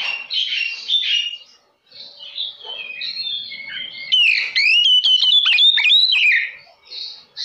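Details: Lure song of an oriental magpie-robin used to provoke others of its kind. Varied warbles and whistled phrases pause briefly, then a loud, rapid sequence of sharp, up-and-down whistles runs for two seconds before fading.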